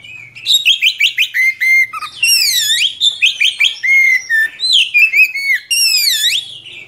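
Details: Oriental magpie-robin, a vocal (gacor) bird, singing a long rolling song suited as a tutor for young birds: loud whistled sweeps and rapid repeated chirping notes, some falling and rising, in continuous phrases with brief pauses.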